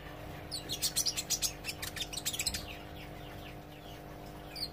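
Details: Olive-backed sunbird learning to sing, giving a rapid rattling run of high, sharp notes for about two seconds, then fading to quiet with one last chip; background electrical hum throughout.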